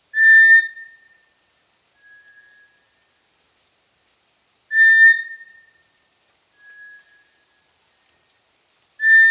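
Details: Small dark tinamou of tropical lowland rainforest understory gives a short, flat, mid-pitched whistle about every four to five seconds, with a fainter, slightly higher whistle between each one; background otherwise quiet.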